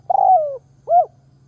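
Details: Decoy spotted dove cooing to draw in wild doves: a drawn-out, gently falling coo note, then after a short pause a brief arched coo, with a steady low hum underneath.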